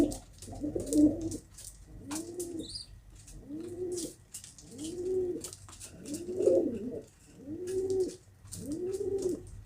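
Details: Pigeon cooing in evenly spaced low, arched phrases, roughly one every one and a half seconds, with faint clicks and a brief higher chirp.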